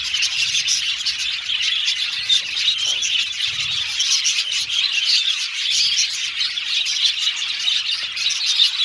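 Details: Colony of Australian budgerigars in an aviary: unbroken busy chirping and warbling from many birds, bright and high, with a few soft low thumps underneath.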